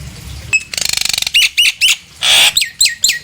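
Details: Nias hill myna singing, meant to lure other hill mynas to sing: a sharp whistle, a fast dry rattle, then repeated upslurred whistles, a harsh squawk, and more loud downslurred whistled notes.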